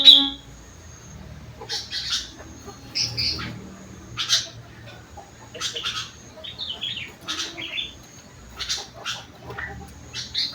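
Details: Kutilang, or sooty-headed bulbul, singing rengganis and cucak wilis isian: scattered short chirps and sharp twittering notes spread irregularly over ten seconds, with a faint low murmur underneath.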